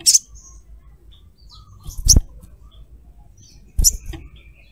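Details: Female little spiderhunter, a calling lure for other birds; three sharp, loud high chirps roughly every two seconds, with soft lower chatter and faint background hum between them.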